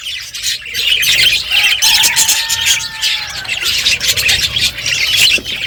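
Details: Budgerigars chirp as they eat, a thick wash of high, buzzy chatter with a few longer whistled notes rising out of it.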